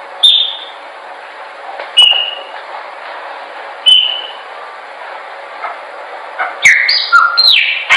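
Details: Chopi blackbird song used for training: three separate, short, sharp whistles spaced nearly two seconds apart, then a sudden burst of tumbling, overlapping whistled notes at the close.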